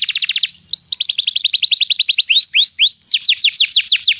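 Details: Canary singing, played to get a pet canary to sing: rapid rattling trill followed by long runs of quick downslurred whistles, then slower upswept notes and a fresh series of bright descending slurs.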